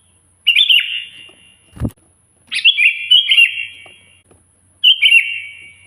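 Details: Sooty-headed bulbul in full loud song, calling out a rival: a quick liquid warbled phrase, a soft low thump, then a longer run of chattering whistles and a final bubbly phrase.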